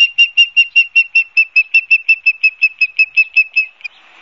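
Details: Osprey at the nest in Barnegat Light, New Jersey, 12 September 2022 at 16:34, seen on a live cam; about twenty ringing whistled chirps in quick, regular succession, ending with a faint rustle.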